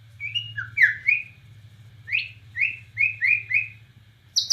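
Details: White-rumped shama from Borneo singing nembak cililin: scattered short squeaky notes and upslurred chirps, roughly one every half second, over a low hum, with a high sharp note at the close.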